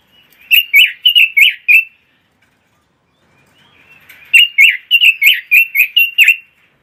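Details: Pekin robin, a small imported songbird popular for training and competition, sings two short bursts of rapid, cheerful warbled notes, about five then eight notes each, separated by a two-second silence.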